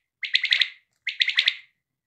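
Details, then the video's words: Two quick quail phrases, each a fast run of sharp notes with the last ones strongest, about a second apart. "batait ki new awaz || bedana بلدرچین awaz"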